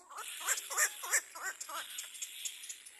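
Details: Young little black cormorant calling loudly from the nest when another bird arrives: a quick series of wavering, squeaky cries, each dipping and rising, over fine ticking clicks.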